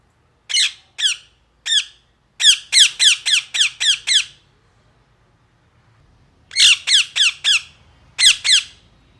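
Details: Loud harsh parrot squawks, each a downward-slurred screech. They come in bursts: a few spaced calls, then a quick run of about seven, a pause, and two more clusters. A faint low hum sits underneath.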